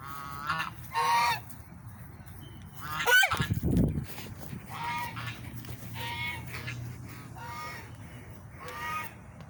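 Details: Loud swan calls: short nasal honks scattered through the recording, several clear trumpeting notes at intervals, one loud thump or handling noise near the middle, and a steady low rumble underneath.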